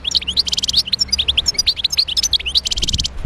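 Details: Continuous, jangling song of a wild European goldfinch from Médéa: quick chirps, buzzy trills and bright twittering notes tumbling together, with a soft low hum underneath.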